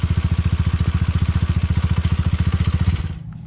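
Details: A motorcycle engine idles with a fast, steady low throbbing that stops abruptly near the end; no animal sound is heard.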